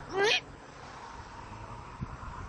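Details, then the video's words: Female great horned owl in Southwest Florida on the night of 31 Oct 2024, landing on a veranda and looking for her mate. Instead of hooting she gives one short, rising, squeaky, nasal chirp; faint hiss and a soft thump follow. "Female Great Horned Owl Lands On Veranda! Makes Short Chirping Sounds!"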